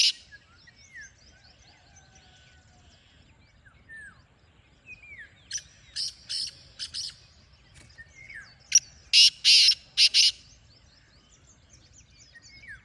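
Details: Black francolin giving a rhythmic phrase of short, harsh, rasping notes, first moderately loud and then a louder grating series near the end, over a background of thin whistles and chirps from other small birds.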